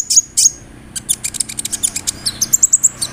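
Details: Kolibri ninja sunbird in full song, rolling with borrowed cricket, cililin and sparrow phrases: two long high buzzes, then a fast stutter of thin ticking notes speeding into a dense trill.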